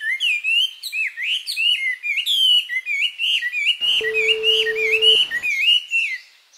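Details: Japanese white-eye singing close by in summer, mid-July: an unbroken stream of high, sweet, rapidly slurred warbles and twitters in intricate phrases, with a steady beep tone sounding for about a second toward the end.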